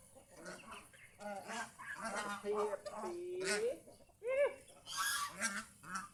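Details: Several domestic geese out in the fields around their home, content and enjoying the day, trade harsh nasal honks in overlapping bursts, with one long drawn-out honk held in the middle and quick clipped calls on either side.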